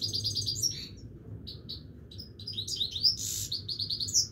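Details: A Himalayan goldfinch sings without stopping, giving quick repeated chirps, a few separate high notes, then a dense burst of tinkling twitters and sharp whistles, with a soft hum underneath.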